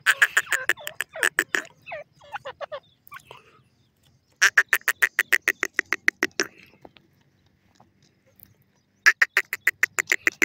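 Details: A partridge in woodland vegetation gives bursts of rapid, harsh, rasping notes, about ten to a burst, with short pauses between the series.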